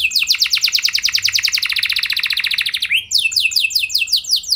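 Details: Canary singing a gacor-style lure song (pancingan) meant to make other canaries respond: a long run of rapid, evenly repeated trills around 3–5k, then a brief break and a faster series of sweeping high notes, loud and clean indoors.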